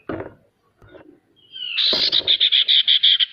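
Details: Male ashy tailorbird singing, used as a lure to get lazy birds to sing. After some low rustling and knocks, a fast series of about ten short, bright, evenly spaced high notes rings out.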